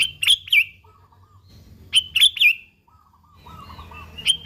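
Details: Lively sooty-headed bulbul song, original and unmixed, played as a lure to get bulbuls singing: quick clusters of sharp, liquid chirps repeating about every two seconds, with quieter lower warbled notes between them.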